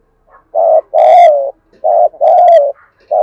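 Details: Spotted dove, played to coax captive wild-caught and decoy doves to coo in wet, windy weather; deep mellow coos in paired phrases, a short note then a longer drawn-out one, repeated about every second with brief pauses.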